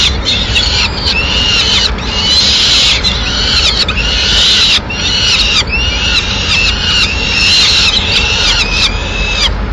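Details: Madrid, Spain, 6 May 2016: a female peregrine falcon brings a pigeon to the nest; repeated rasping, arch-shaped calls come in steady clusters, some strong and some softer, with low background noise.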